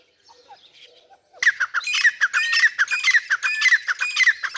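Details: A Dhakni teetar, grey francolin, from a pair: after faint murmurs, a sudden burst of rapid, repeated raspy squawks with a metallic ring keeps up steadily to the end.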